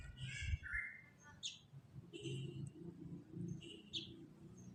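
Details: Black-naped oriole singing actively, used as a lure to prompt orioles that are slow to sing: short whistled and chirped phrases, some slurred downward, repeated in bursts about a second apart over a steady low rumble.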